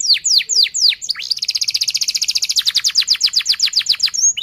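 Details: Fast, dense canary song meant to teach young canaries to sing: a few sweeping downward whistles, then a long rapid rolling trill of repeated sharp notes.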